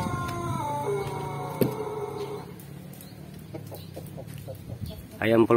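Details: A Pelung rooster, prompted to crow by a hen placed beneath its perch, gives a long, drawn-out crow that steps down in pitch, followed by a man talking.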